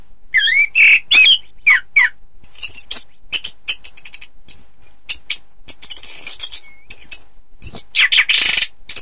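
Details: Orange-headed thrush singing as training material for contest birds: opens with clear looping whistled notes, then quick high chips, buzzy trills and a soft sliding whistle, ending in loud varied phrases.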